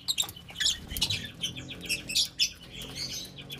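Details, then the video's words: A group of lovebirds enjoying the sunshine, giving dense, shrill, high-pitched chirps and squeaky twitters that overlap continuously, with several birds calling at once and sharp louder notes standing out every fraction of a second. "Gang Of Love Bird Enjoying Sun Shine | What do Birds Sound Like"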